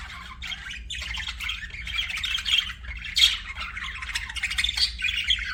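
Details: Pet budgie chatter, a scratchy, nasal warble running almost without break, with a couple of louder squawky peaks near the middle.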